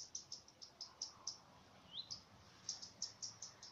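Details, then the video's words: Alarm signal of a common redstart, recorded by chance: evenly spaced high, clipped tick notes about five per second, with one upslurred whistle near the middle, over a faint background hiss. "Горихвостка обыкновенная. Лысушка. Сигнал тревоги"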